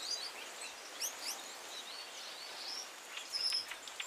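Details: Gouldian finch singing with quick, high, scratchy chirps and rising squeaks, then a clear, thin, sustained whistle near the end, all over constant background hiss.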